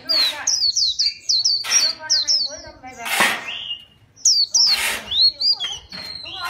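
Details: Fighting white-eye in chòe style: quick series of high, falling chirps in bursts, interrupted by harsh noisy blasts, a brief quiet gap, then more twittering.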